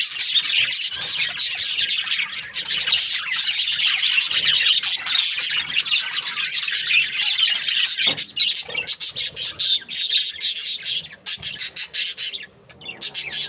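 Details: Australian budgies chattering nonstop: layered high squeaks, rasps and warbling chirps from many birds, the din thinning into separate bursts toward the end.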